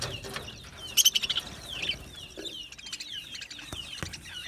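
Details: Quiet budgie chirping: a quick cluster of sharp high notes, then repeated thin downward-sliding whistles with occasional clicks.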